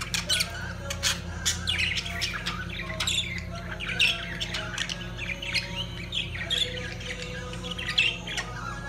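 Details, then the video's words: Lovebirds during mating give rapid, shrill squawks and chirps in a continuous chatter, with a steady low hum underneath. "طيور الحب عندالتزاوج"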